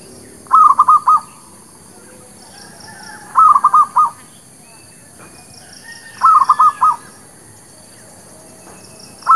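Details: Local zebra dove lure song for trapping and new birds. Phrases of rapid, rolling coos repeat roughly every three seconds, four in all, with the last one cut short. Softer dove calls sound in the background.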